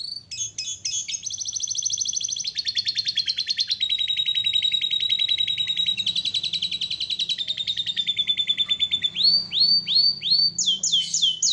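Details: Canary singing vigorously (gacor) for a master recording: a long, loud, unbroken run of rapid rolled trills, each tour a fast buzzy pulse train at a steady pitch, switching to lower tours, then to upward-sweeping chips near the end.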